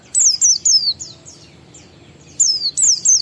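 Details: Lure song of an Oriental white-eye, ngalas style, meant to prompt other white-eyes to sing: bright, high, slurred whistles falling in pitch, two quick groups of three with a pause between.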